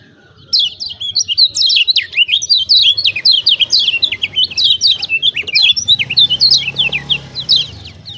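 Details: Lemon-bellied white-eye from Lombok, used to coax reluctant birds into song: after a short pause, a sustained torrent of rapid, high, chattering chirps and slurred whistles continuing to the end.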